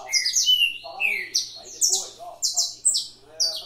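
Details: Canary at a breeding aviary performing fibra song: short, very high chopped notes and falling whistles in rapid sequence, each phrase sharply attacked.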